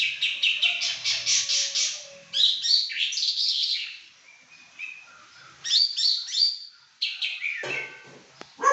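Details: Very vocal pekin robin delivering rapid rhythmic bursts of bright high notes mixed with fluid warbled phrases, loud and continuous with brief gaps.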